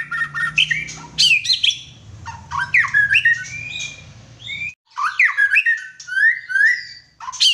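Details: White-rumped shama in full song, mixing sharp chattering squawks and clicks with rising and falling whistled phrases, the phrases repeated in quick bursts over a low background hum that stops partway through.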